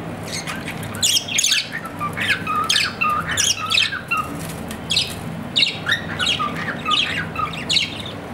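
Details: Pet budgerigar, the Australian parrot, chattering steadily with rapid harsh squawks and short buzzy chirps, some with brief whistled notes, running in quick bursts throughout against a faint low hum.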